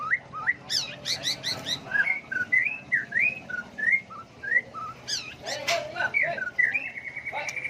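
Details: White-rumped shama with a varied song of shifting phrases, played to provoke birds into singing contests; looping whistles in a steady series, with bursts of sharp high notes near the start and middle.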